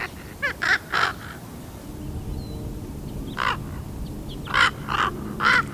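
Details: Baby raven, 13 and a half weeks old, practising different noises as it learns its voice box: hoarse, broad croaking bursts in two clusters, three quick calls early then four more after a quiet gap.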